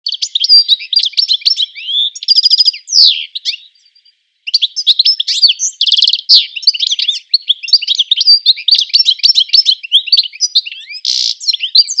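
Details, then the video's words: European goldfinch singing a fairly melodious, high twittering phrase with rolled notes, quick trills and accelerations, the phrase broken by a short pause near the middle, then resuming in loud, continuous tinkling runs. "LE CHANT DU CHARDONNERET ÉLÉGANT / GOLDFINCH SINGING"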